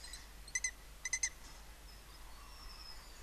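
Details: Lesser kestrels at a nest colony of 80 nest boxes in Cabañeros National Park, Castilla-La Mancha, Spain, filmed live during copulation, give two quick bursts of sharp chittering notes, a pair then a triplet, over faint hiss.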